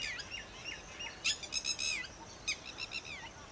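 Red-wattled lapwing gives sharp, strident notes in a quick run of four, then more, over a steady chatter of higher chirps from other small birds.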